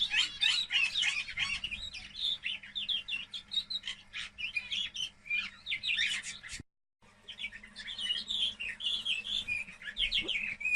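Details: Two-month-old kept canaries that have started singing, taught with MP3 training recordings; a lively run of rapid chirps, twitters and short trills, pausing briefly midway before resuming, with a faint low hum underneath.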